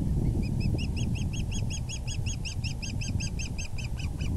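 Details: Osprey calling at the nest on an April 2020 evening while the male delivers a large fish: a steady, rapid string of piercing, slightly rising chirps, roughly five per second, over low wind rumble.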